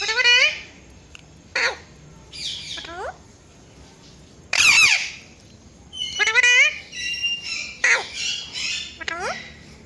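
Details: Pet rose-ringed parakeet, a talking ringneck, giving a series of sharp squeaky chirps and harsh screeches in irregular bursts, some with rapidly wavering notes, recorded in a small room.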